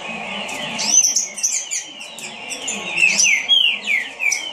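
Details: A captive green-winged saltator sings quickly, giving a brisk string of descending whistled slurs that grows denser toward the end, with sharp high chirps from nearby birds and a faint low hum.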